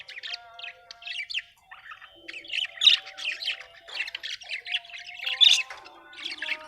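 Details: Pet budgerigars chirping: continuous overlapping warbled chatter and squawky chirps from several birds, with thin steady whistled tones underneath.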